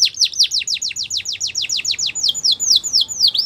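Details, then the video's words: Belgian canary song made of a steady series of high, downward-sweeping whistled notes, about five per second, shifting to slower upturned slurs near the end. "Do This And Your Canaries Will Never Stop Singing | Belgian Canary"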